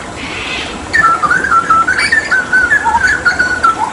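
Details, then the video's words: Hooded butcherbird, a Papuan endemic known for mimicking other birds, singing during water therapy: a fluting run of clear whistled notes, wavering and gently sliding, after a brief hiss. "Masteran Tembakan JAGAL PAPUA gacor"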